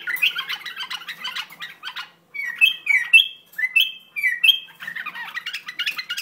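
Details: An Iraqi bulbul moves from scratchy chatter into a series of clear, slurred whistles. Each whistle rises to a sustained high note, repeated several times before the chatter resumes.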